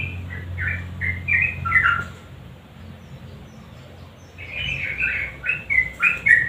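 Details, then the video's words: Lure recording of a sooty-headed bulbul singing energetically: a few short warbled phrases, a stretch of low hum and hiss, then another cluster of bright, clipped notes. "Trucukan GACOR NGUKLIK kombinasi GARUDA yang BISU pasti IKUTan bunyi"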